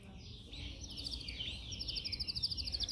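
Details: Canary singing in a cage while training: soft wavering warble over background noise, building into a fast high rattling trill.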